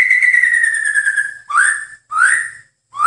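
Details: White-rumped shama song from a master recording for training birds: a long clear whistle sliding gently downward, then two short rising whistled notes, each with faint higher overtones. No other sounds.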